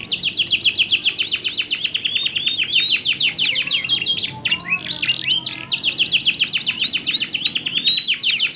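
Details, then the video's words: Pair of canaries singing alternately as a stimulus for other canaries: an unbroken rapid trill overlaid with soft rising whistles, a brief jumbled flourish midway, then the trill resumes. "SUARA KICAUAN KENARI GACOR SALING BERSAUTAN"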